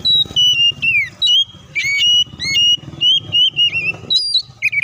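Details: Oriental magpie-robin (kacer) singing loudly, used as a lure to prompt other kacer to sing and fight: clear whistled notes, some sliding down, others held level, in quick phrases over a low background hum.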